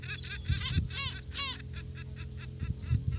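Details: Feeding gulls in Northern Kazakhstan call in a fast string of short, nasal, harmonic notes, several per second, the first ones louder and longer, with low thumping noises underneath.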